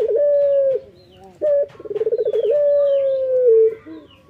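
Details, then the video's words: Male local Barbary dove singing actively in the morning: long, steady, low hollow coos, a short rolling trill of pulsed notes between them, and a final drawn-out coo that dips slightly at the end. "SUARA BURUNG PUTER LOKAL JANTAN GACOR PAGI HARI"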